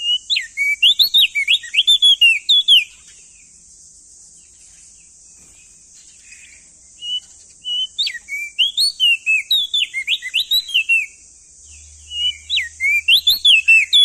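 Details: Crested white-eye male from East Nusa Tenggara, Indonesia, sings three loud phrases of rapid, rising and falling whistled notes, separated by long pauses. A constant high-pitched hiss runs beneath.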